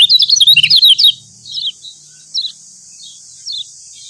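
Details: Yellow white-eye from Lombok, locally kecial kuning, recorded as a training song to stir other birds to sing: a second of rapid, high, twittering chirps, then short thin chirp phrases about every second over a faint steady hiss.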